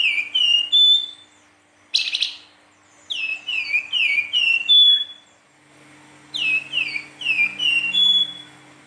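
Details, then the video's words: Flute-like nyuling song of a lively Silver-eared mesia, three bursts of sweet descending whistled notes separated by pauses, plus a brief sharp rustle between the first two bursts and a faint steady hum. "Burung Flamboyan gacor nyuling"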